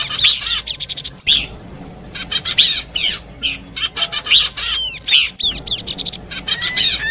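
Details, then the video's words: Horsfield's babbler song mix meant for luring birds, packed with fast chattering bursts and looping downslurred whistles in quick succession, nearly continuous. "Nyanyian burung pelanduk semak kombinasi cocok buat pikat."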